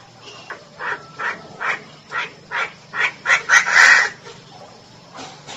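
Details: A female Chinese francolin calls with evenly spaced, gruff notes roughly every 0.4 seconds that swell in volume and quicken into a loud, scratchy finale, then stop over a low hum.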